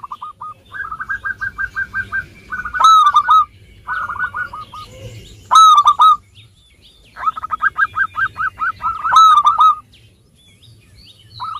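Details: Zebra dove song from a local bird used as a lure for reluctant singers: long runs of soft rolling trill notes broken by louder ringing triple notes, with a faint background of other soft calls.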